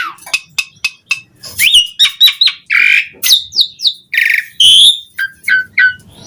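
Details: Asian pied starling song meant to draw other starlings into singing: sharp clicks and chacks, squeaky whistles, harsh raspy bursts and a clear warbled whistle, delivered loud and irregular.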